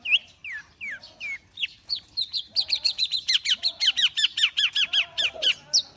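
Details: Long-tailed shrike warming up, opening with several slurred, downward whistles, then breaking into a fast, steady series of two-part chipping notes, roughly two per second, ending in a high squeak.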